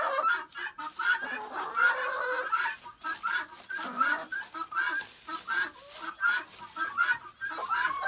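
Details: A flock of chickens chatting up a storm during feeding and pen cleaning; a dense, overlapping stream of short clucks and squawky notes, several per second, with brief louder bursts and steady rustling.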